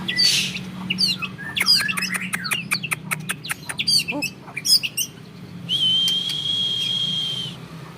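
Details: Bred white-rumped shama of a champion lineage, singing its 'long shots' style meant to unnerve rival birds: a burst of varied sharp clicks and quick whistles, then one long steady high whistle held nearly two seconds.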